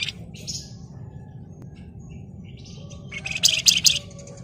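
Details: Energetic Flamboyan song, the kind kept as a lure to set other birds singing: faint scattered high notes, then a loud cluster of sharp, rapid chirps near the end over a low background hum.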